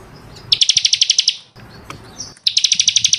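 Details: Bar-winged prinia song for training caged birds: two bursts of rapid, evenly spaced high piping notes, about a dozen per burst, with a quiet gap between them.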